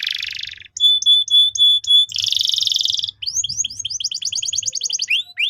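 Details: Singing canary, played to train young canaries: a buzzy roll, then evenly spaced clear whistles, another dense trill, and a fast run of falling chirps speeding up before slurred notes.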